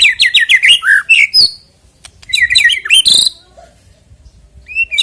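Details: White-rumped shama song for prompting contest birds to sing: rapid bursts of sharp, descending chirped notes, a harsh squawk-like note, another fast chattering phrase, then near-silence and a short closing whistle.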